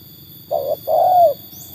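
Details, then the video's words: A trained tekukur tested against wild birds utters a single coo pair: short flat note, pause, then a longer arched note fading away. "kualitas burung tekukur ajaran sudah teruji oleh burung liar"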